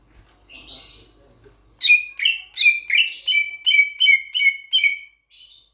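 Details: Sulawesi myna, a starling-type bird from Sulawesi, Indonesia, with a loud voice: a brief scratchy burst, then a quick run of about nine clear, slightly buzzy whistled notes, each sliding down and evenly spaced, ending in a softer rasp.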